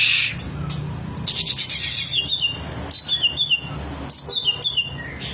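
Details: Green leafbird unloading its rich song material: a harsh, scratchy burst followed by lively whistled phrases that step downward, repeated in several quick groups, with a low hum beneath.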